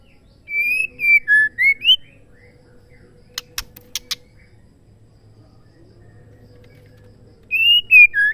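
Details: Female murai batu (white-rumped shama) call meant to trigger male song: a run of five whistled notes dipping and climbing, a burst of sharp clicks midway, then the whistled phrase begins again.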